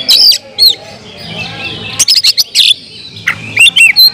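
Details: Kacer, or Oriental magpie-robin, in vigorous song meant to provoke rival magpie-robins: loud whistled slurs and harsh scratchy bursts, with a quieter stretch in the middle before the phrases resume.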